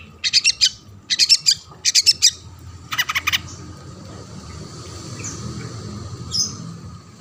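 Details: Long-tailed shrike singing to lure other shrikes into song: three quick clusters of harsh, buzzy high chattering notes, then a rasping burst, followed by near-quiet with a steady low hum beneath.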